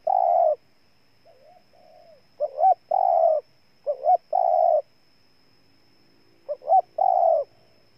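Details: A spotted dove in Ninh Thuận, Vietnam, repeats its loud cooing phrase four times. Each phrase has two short rising notes and a drawn-out buzzy coo. One faint distant coo phrase is heard early on, and the setting is otherwise quiet.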